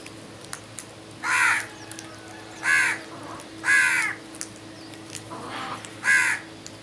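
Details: Crows calling in the morning: five harsh, nasal caws spaced about one to one and a half seconds apart, one fainter, over a steady low hum.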